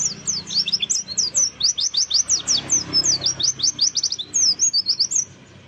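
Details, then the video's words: Forest-style lure song of an oriental white-eye, used to stimulate caged birds to sing: fast, high, downslurred chirps in a lively continuous chatter that fades out at the end. "pancingan pleci buka paruh, ngalas, bongkar isian"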